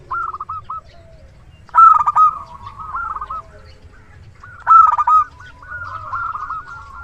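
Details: Big-voiced local zebra dove singing as a luring decoy: quick rolling coo phrases, broken by two loud, punchy clusters of short notes roughly three seconds apart.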